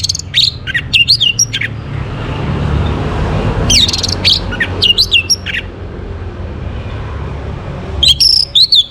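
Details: Orange-headed thrush singing in the morning, used to bring birds into breeding condition: short groups of sharp, slurred high whistles repeated in clusters, quieter gaps filled by low traffic-like rumble.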